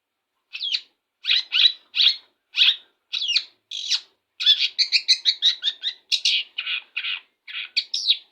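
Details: Long-tailed shrike singing straight after its morning bath, with rising whistled notes that accelerate into a rapid, rolling chatter of varied chirps and mimicked-sounding phrases.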